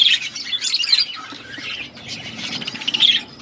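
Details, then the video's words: Pet budgerigars chirping while eating food: dense, busy twittering chatter of overlapping bright chirps, with brief louder squawky notes near the start and end. "Budgies chirping sounds and eating food"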